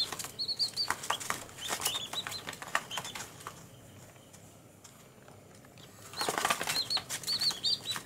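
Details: One-day-old baby chickens outdoors on green ground, giving short high peeping chirps in quick clusters at the start and again near the end, with a quieter stretch between and scattered clicking and rustling sounds.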